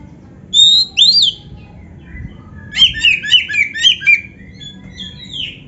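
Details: Oriental magpie-robin training song with full fills including canary phrases: a pair of loud rising and falling whistles, a pause, then a burst of five sharp chattering notes and a final slurred whistle, over low hum.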